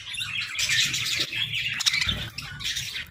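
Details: Budgerigars in an aviary give a quick burst of overlapping high chirps and scratchy warbles. A low rumble runs beneath, with a short thump near the middle.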